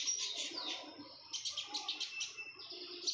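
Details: Breeding-condition female red-whiskered bulbul giving a dense, busy stream of high chirps and slurred twittering notes, nearly continuous with a short pause midway, over a faint steady background hum.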